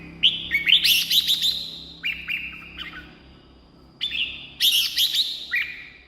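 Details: Red-whiskered bulbul delivering bright warbling phrases, a recording used to excite caged birds or lure wild birds; two bursts of quick slurred notes separated by shorter whistled motifs, low steady hum behind.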